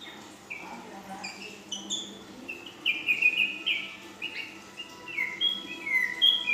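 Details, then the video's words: Young female ashy drongo singing a 'full isian' style song with long 'nembak' phrases: varied clear whistled notes and short slurred sweeps, some rising and some falling, delivered in quick irregular bursts over a faint low hum. "Srigunting Abu Paud Betina Full Isian"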